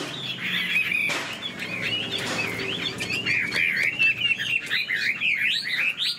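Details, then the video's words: Chinese hwamei kept in a cage delivers fast varied whistling, wavering slurs that build into a dense looping run of bright notes, over a low background hum and a few knocks. "Họa mi đuôi xòe chơi cánh, bóng bộ cực đẹp, hót vẩy đuôi khướu"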